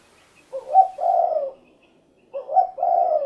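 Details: Spotted dove giving its call twice, each phrase a short rising coo run straight into a longer, smooth, falling hoot, the two phrases about two seconds apart in a quiet setting.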